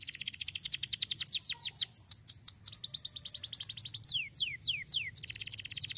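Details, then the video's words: A loper canary sings a sharp, fast, sustained song: rapid chirping trills mixed with high, falling whistled sweeps, delivered without pause. "SUARA PEDAS BURUNG KENARI LOPER STARBLUE"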